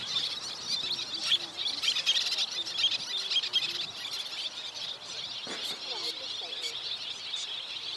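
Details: A constant chorus of high, scratchy chirps from many Little terns rearing young, overlapping with no steady rhythm. Fainter, lower sounds, possibly a voice, sit underneath.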